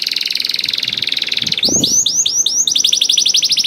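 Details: Caged canary in full song, played to draw other canaries into singing: a dense buzzy trill for about a second and a half, then a few loud swooping whistles that break into a rapid repeated rolling phrase.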